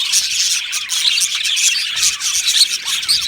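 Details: Budgies chattering in an aviary colony: rapid, high, twittering chirps from many birds, loudness pulsing gently as bursts of calls overlap.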